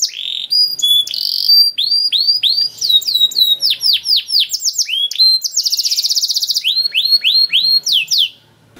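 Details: Canary singing a long varied song meant as training material for young canaries: fast trills, rapid down-slurred whistles, buzzy rolled passages and sharp chips, all high and continuous for nearly nine seconds.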